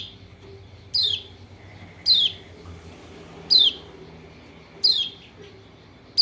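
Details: Pleci Lombok white-eye lure call to encourage a reluctant singer: five bright, high-pitched downslurred notes at steady intervals of just over one second, with soft low background noise.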